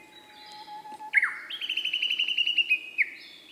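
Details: Male Siberian blue robin singing: a short downward-slurred whistle, then a fast, even trill of a dozen or so bright repeated notes on one pitch, ending in a higher flick. A faint steady hum sits underneath.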